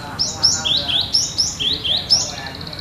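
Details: Cinereous tit, locally gelatik batu, singing clearly: a rapid run of bright whistled couplets, each a high note falling to a lower one, about seven in under three seconds.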